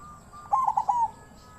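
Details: Short burst from a captive-bred zebra dove singing the wild-type style: a quick set of four soft, rolling, trilled notes, then a fading tail.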